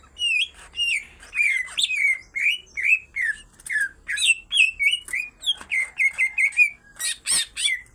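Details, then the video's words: Greater green leafbirds, female and male, in full vigorous song: continuous varied whistled phrases, mostly swooping downslurred notes mixed with squawky chips and a few harsh broadband bursts near the end. "full isian tengkek cucak ijo betina dan jantan sama sama gacor"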